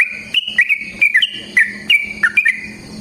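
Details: Yellow-vented bulbul fighting song used as a lure: clear whistled notes stepping up and down, given in short bouncy phrases about every third of a second, over a soft steady low hum.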